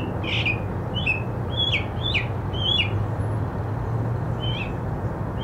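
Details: Mockingbird song with a varied string of sliding, slurred whistles and sharp chips, each phrase different, set against a persistent low-pitched background hum.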